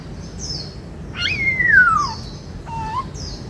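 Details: White-cheeked laughingthrush, a cage songbird, in 'bắt cô trói cột' style song: a bright whistle that leaps up then slides steadily down, followed by a short lower note, over soft high chirps from other birds.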